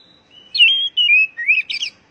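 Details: Oriental magpie-robin (kacer) song for stimulating kept birds to sing: a short run of clear sustained whistles, each dropping or rising in pitch, ending in a burst of quick high chirps.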